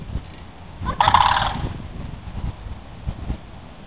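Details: Sandhill cranes, a pair dancing in Holiday Park, Palm Bay, Florida, utter one brief, coarse, rattling call near the start, followed by clicks and light background noise.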